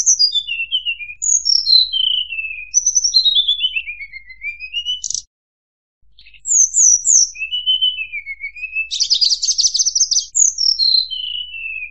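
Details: Murai buluh delivering a long, varied song of cascading downslurred whistles in quick series, sweeping rising notes, a short gap, then more falling runs and a harsh buzzy rattle before further descending whistles.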